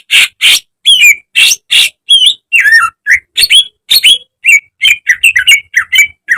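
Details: Greater green leafbird song for training caged birds: a rapid, varied stream of loud harsh bursts and rising and falling whistled notes, nearly continuous, with only short gaps between phrases.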